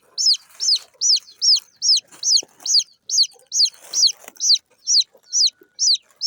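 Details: Several small local chicken chicks peeping: bright, high downward-sliding chirps repeated rapidly and evenly, with faint scuffling noise underneath.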